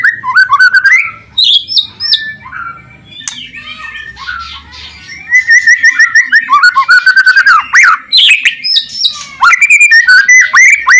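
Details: Extended loud white-rumped shama song played to get quiet shamas singing: shifting whistled phrases, slurred notes and rapid trills, with a quieter stretch in the middle before bursts of fast, repeated notes.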